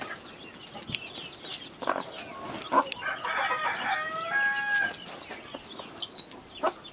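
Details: Chicken on a farm where a hen keeps baby chicks; a long harmonic crow rises then holds steady for about two seconds mid-clip, preceded by short scattered clucks and followed by a few high thin chick peeps.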